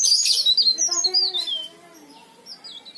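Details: Leaf warbler in full song, meant as a lure for silent or young leaf warblers; rapid high twittering with slurred whistled notes through the first 1.6 seconds, then faint scattered chirps.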